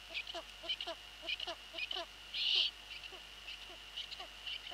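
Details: Eurasian eagle-owl pair at the nest, 23:41 on 11 April 2013; the male brings a pigeon for the chicks and the female arrives to scold him. Quick repeated yelping notes broken by a brief harsh burst, constant background whine.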